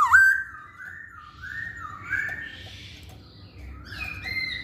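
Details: Masked laughingthrush song used as a lure to get males singing: rising whistled note followed by a smooth, wavering series of mellow whistled phrases with a soft background hum.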